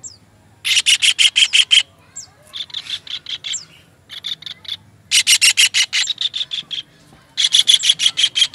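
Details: Master recording of a kingfisher for training songbirds: loud rapid runs of harsh, buzzy notes, each run of six to ten, broken by quieter short notes and pauses.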